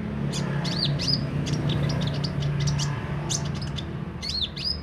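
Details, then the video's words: Kolibri ninja sunbird singing with open beak, clusters of high thin chirps and looping up-down whistled notes, with low steady background noise. "Burung kolibri ninja mental baja buka paruh gacor dor"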